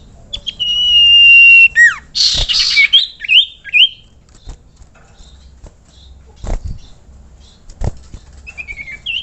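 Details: Common iora calling to draw other ioras into singing: a run of clear whistled notes, some sweeping down and some rising, fills the first seconds, followed by sharp clicks and a couple of faint whistles near the end.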